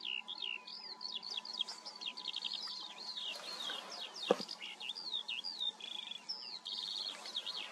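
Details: Unbroken Eurasian skylark song: rapid chirps, rising and falling whistles and buzzy trilled phrases tumbling over one another for the whole stretch, with a single sharp click midway and a low constant hum behind.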